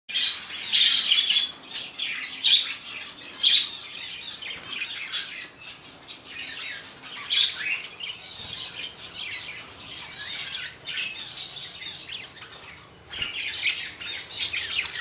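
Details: A pair of budgerigars chatter continuously with fast, scratchy warbles and sharp chirps.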